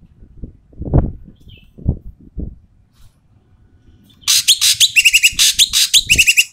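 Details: Asian pied starling giving loud, coarse calls to prompt lazy starlings to sing: low knocks and thumps at first, then a run of rapid, grating, rasping chatter with repeated squeaky notes.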